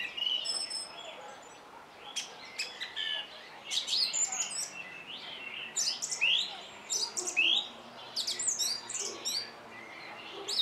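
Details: A singing song thrush delivers a run of bright, varied phrases: high thin whistles, sharp chips and scratchy trills, several given in quick succession with brief gaps, against soft background hiss.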